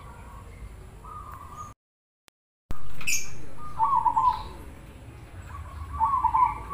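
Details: Cemani-type zebra dove cooing in captivity: a steady low note followed by a trilled, bubbling coo repeated twice, over a constant background hum and a brief cut in the sound.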